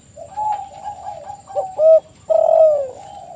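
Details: Spotted dove song: a soft wavering coo, then two louder clear notes and a long mellow phrase that slides downward, over a quiet background.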